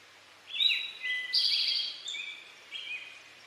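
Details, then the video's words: A male Eastern towhee delivers one full "drink your tea" song, with sharp introductory notes and a long, loud buzzy trill, then a single shorter whistled note. Background is still. "Eastern towhee song | Drink your tea"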